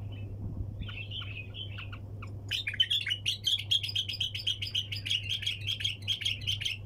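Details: A bulbul sings 'tak janah' in the 'sayyad' style. It opens with soft, scattered chirps, then launches into a loud, continuous rapid trill of ringing repeated notes that carries to the end, over a low hum.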